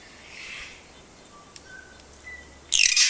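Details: New Zealand kaka, an endemic parrot, calling at Tawharanui Regional Park, Auckland, filmed on a camera with a super-telephoto lens: a few thin, level whistled notes, then a sudden loud, harsh, rasping screech.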